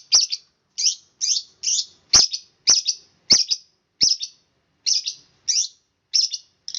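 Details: Long-tailed shrike giving a rapid rolling song of harsh, high chattering bursts, about two per second, with a few sharp clicks.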